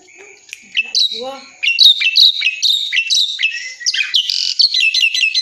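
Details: Asian pied starling in full gacor dorr song, opening with a few soft low notes, then bursting into loud, fast sequences of sharp whistled and chattering notes that climb and drop in quick steps.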